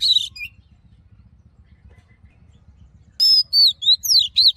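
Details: Wild forest-voice song of an Oriental magpie-robin, meant for voice training and stimulating males. A short buzzy note opens, then a long quiet gap, followed by a loud run of high whistled swoops and trills.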